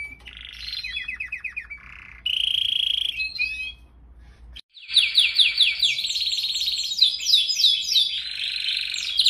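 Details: Canary sings a long, rolling song of rapid trills, buzzy rattles and bright whistled sweeps, high-pitched and continuous apart from a brief pause; used as a training song for other songbirds.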